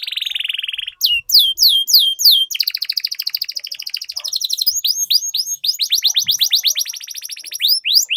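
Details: Canary singing a long rolling song, played as a lure for other canaries: a buzzy trill, quick falling whistled notes, then continuous rapid trills and sweeping whistles for about eight seconds.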